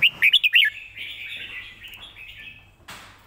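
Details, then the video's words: Red-whiskered bulbul song used as a teaching model for birds: a fast opening burst of five bright whistles, then soft trailing warble and a short noise at the end. "สำนวนเพลงแม่บท ร้องง่ายๆ (ไว้เปิดสอนนก)"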